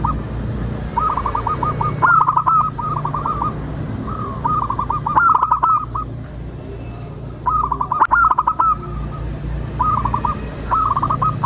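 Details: Zebra dove of local stock, singing as a lure for other birds to sing and respond. Clusters of rapid warbling coos alternate with brief pauses, some with sharp clicking bursts, all over a continuous low hum.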